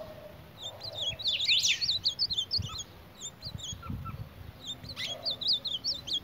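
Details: Ultramarine grosbeak attacking its own mirror image: scattered high twittering chirps, a few louder sharp notes and soft knocking sounds throughout.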